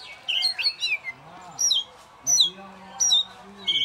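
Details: Caged oriental magpie-robin singing solo as a champion contest bird. It gives short sharp whistled phrases and squeaky slurs in separate bursts over a low droning murmur.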